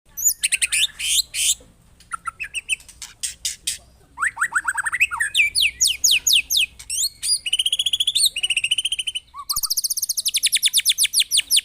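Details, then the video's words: White-rumped shama song used as a lure to provoke other birds, full of harsh rapid bursts: fast buzzy trills, sweeping repeated notes and loud rattling series, with brief pauses between phrases. "Pancingan MURAI batu GACOR FULL TEMBAKAN KASAR"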